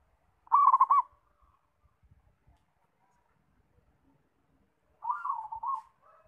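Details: Zebra dove giving two rolling cooed phrases, each a quick bubbling run of soft notes, separated by a long pause with faint clicks and tapping in the background.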